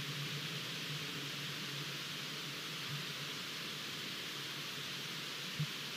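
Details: Broad, steady hiss with a low hum underneath and a single soft knock near the end.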